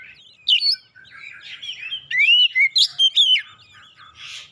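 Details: Excited oriental magpie-robin singing as a lure for other birds: a soft, rambling start, then a loud run of rising slurred whistles in quick bursts before fading into a breathy hiss.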